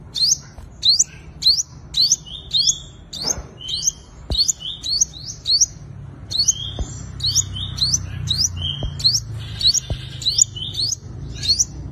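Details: Fighting song of a five-colour sunbird, played to lure wild birds: busy run of high twittering upslurs and short notes, repeated about every half second, over faint low background hum and occasional ticks.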